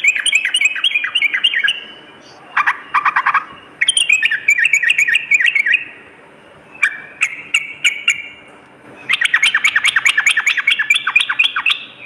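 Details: Sooty-headed bulbul singing at night in separate bursts of quick, tightly packed warbling notes, with short silences between, ending in a long dense chattering run.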